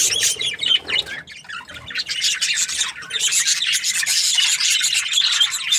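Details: Parakeet chatter opens with chirps over a brief lower rubbing noise, dips for a moment, then returns as loud, continuous high squawking and chirping.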